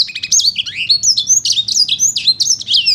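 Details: Lively sanger paud song of quick, high-pitched whistled notes, darting slurs and chattering trills pouring out without pause, over a faint low-pitched background rumble.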